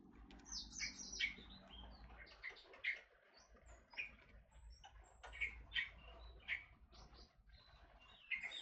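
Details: Forest oriole, called kepodang hutan, gives short bright chirping notes near the middle-high range, repeated at uneven intervals over several seconds, with a low steady hum underneath.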